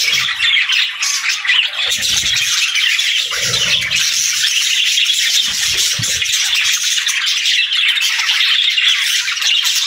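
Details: A flock of budgies keeps up a constant, even wall of high, buzzy twittering and chirps across the whole stretch, with a few soft low knocks in the background.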